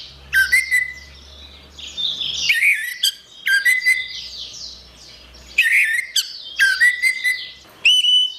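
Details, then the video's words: Orange-headed thrush song used as a training recording for songbirds: loud bursts of sharp, slurred whistles and rattling notes return every one to two seconds. Softer, high chirps fill the gaps. "Ocehan Suara Burung Anis Merah"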